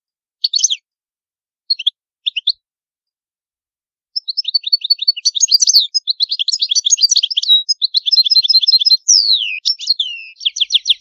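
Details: Goldfinch performing the antique Palermo Sicilian song style: a few separate high chirps, then after a pause a fast continuous tumbling twitter of varied liquid notes and trills with a downward slur near the end. The background is silent.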